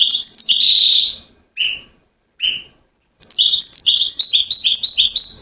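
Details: European goldfinch from Settat, Morocco, praised for its trill-series singing style: a bright, high twittering phrase, two brief isolated chirps after short silences, then a fast run of repeated tinkling, stepped notes.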